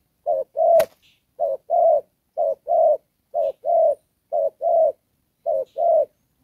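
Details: Đồng pha style cooing from a spotted dove kept as a decoy for trapping: six evenly spaced short-long coo pairs about once a second, with a single sharp click near the start.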